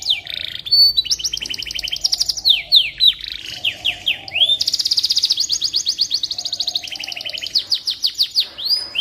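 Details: Canary song used to train magpie robins: extended rattling trills of repeated notes alternating with quick slurred down-sweeps, lively and unbroken for several seconds.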